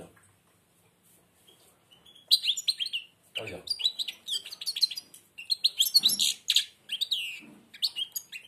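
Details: A blind European goldfinch sings with its beak nearly shut. After a quiet opening, a dense run of sharp high twitters, trills and slurred chirps goes on for about six seconds, with brief pauses between phrases.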